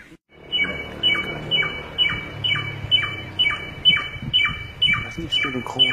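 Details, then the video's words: Forest samyong repeating a clear whistled note followed by a short downward slur, about twice per second and very regular, with a low rumble of background noise. "suara burung samyong dihutan sungguh indah"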